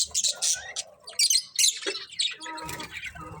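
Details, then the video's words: Several colourful budgies give harsh, bright chirps and squawky bursts in quick succession, with a brief lower warbling passage and faint low rumbling toward the end. "Beautiful Colourful Budgies Chirping Sounds"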